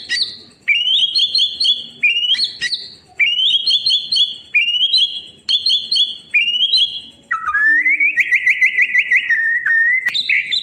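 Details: White-rumped shama song played as tutoring to help birds that stopped singing: repeated bright whistled phrases with sharp upslurred notes, then a long buzzy trilled run near the end, loud and close.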